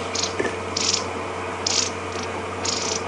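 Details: Long-billed crombecs give dry, high rattling alarm bursts about once a second at a pride of lions by a termite mound, on an afternoon drive at Djuma Game Reserve on 2 June 2015, over a steady low engine hum.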